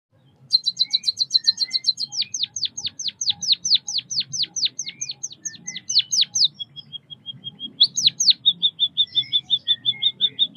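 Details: White-headed munia (Lonchura maja), a small Southeast Asian songbird: rapid high chirps, then a long run of sharp downward-sweeping notes, a thin steady trill and more quick chirps, all high-pitched over a faint low hum.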